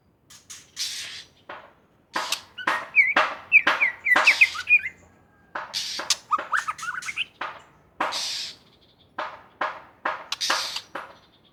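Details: White-rumped shama from Aceh, tagged as a wild bird, singing energetically: bursts of harsh, rasping broadband notes mixed with quick rising and falling whistled phrases, delivered in dense clusters separated by short pauses.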